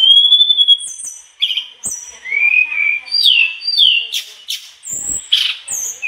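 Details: Mangrove blue flycatcher singing persistently through its learned phrases. It opens with a long, level, thin whistle, then gives falling and rising slurred notes, high piercing pips and a couple of harsh, noisy bursts near the end.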